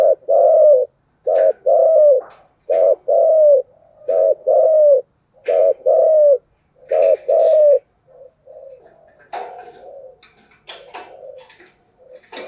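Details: Spotted dove in continuous 'thúc gù' cooing: deep, mellow paired coos, a short note then a longer slurred one, repeated about every 1.4 seconds for eight seconds. Softer, scattered coos follow amid faint rustling.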